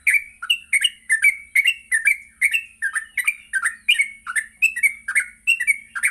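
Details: Lively morning song of a yellow-vented bulbul for training captive bulbuls to ngropel: continuous chain of quick gurgling, rising and falling whistled notes, several per second, with a steady high hiss in the background.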